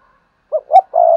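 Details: Spotted dove decoy calling to get other doves cooing: two quick low coos, then a sustained hollow croo that is cut off at the end.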